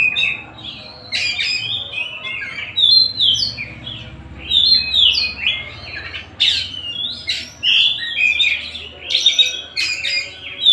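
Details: Tasik-type white-rumped shama pouring out varied song: quick whistled swoops, clipped chips and harsh rattles strung together in dense phrases, with a faint low hum underneath.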